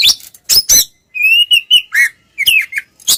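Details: Oriental magpie-robin twins, ngeplong singing as a lure for silent birds; crisp broadband clicks give way to a level whistled note and a series of falling and rising slurred whistles.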